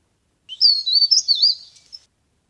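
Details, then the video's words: Leaf warbler, called cikrak daun or pare pare, played as a lure for trapping: a single high, fast, wavering warble of linked whistles lasting about one and a half seconds, ending in a faint short note. "CIKRAK DAUN GACOR | CIKRAK DAUN PIKAT | SUARA PARE PARE GACOR"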